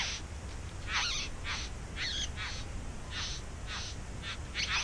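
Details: Several scratchy, churring bursts from bowerbirds nesting in a back yard, some with twisting, grating notes, delivered in an uneven run of about nine calls against a noticeable low background rumble.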